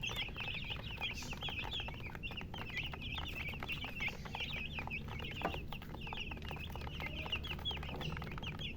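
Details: Baby chicks giving constant high-pitched peeps, a crowded overlapping chatter with brief tapping noises and a low background hum.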